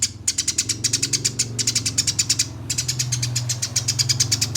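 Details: Fast, dense Eurasian tree sparrow song used as a master for singing contests, in a rolling nyerecet style: an almost unbroken stream of sharp, high chirps with one short pause, set against a noticeable low engine-like hum.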